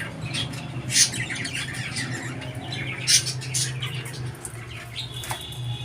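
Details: Budgie twitters with two sharp squeaks, then a clear drawn-out whistle near the end, against a steady low hum in a room.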